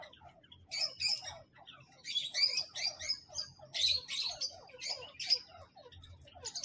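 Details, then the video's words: Grey francolins, male and female, give harsh, ringing, high chattering bursts that come quickly and overlap one another, with a faint low hum beneath. "Grey Francolin male and female male teetar voice teetar awaz"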